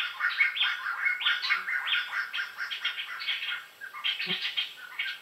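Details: Black-hooded laughingthrush chattering in quick, uneven bursts of scratchy and whistled notes, with a brief lull near the end before it resumes.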